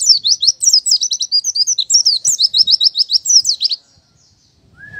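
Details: Oriental white-eye song in the 'buka paruh' style meant to prompt birds to sing: a quick run of high, slurred chirps repeated several times a second for nearly four seconds, then silence and a brief level whistle.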